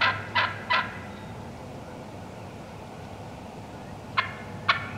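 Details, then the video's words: Wild turkey hens in the woods yelping: three short, raspy, broadband notes in quick succession, a pause, then two more yelps after about four seconds, with a low steady hum beneath. "Wild Turkey Hens Cutting Yelping and Calling"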